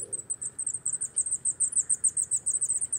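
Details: Rapid series of very high, thin, sibilant notes from a coal tit (Periparus ater), about six each second, steady and fairly loud, over a quiet background.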